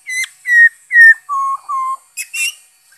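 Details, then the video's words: Black-throated laughingthrush song from 5 May 2021: a quick run of clear whistled notes, three higher slightly falling ones followed by two lower, steady, longer notes, then a short harsh burst at the end. "Saib noog sab hwj zoo nkauj,bay khuou,นกกะรางคอดำ"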